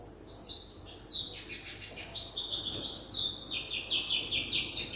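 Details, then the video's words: European goldfinch hybrid in the learning stage of its song, copying an older hybrid: scratchy twittering phrases build into a sequence of regularly repeated sharp trilled notes, high and metallic, over faint background hiss. "تغريد هجين الحسون لازال في مرحلة الحفظ"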